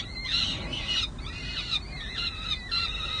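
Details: Hungry peregrine falcon chicks nesting at San Jose City Hall, May 2022, begging for lunch: a few short, hoarse, scratchy screeches in quick succession over a low steady background hum.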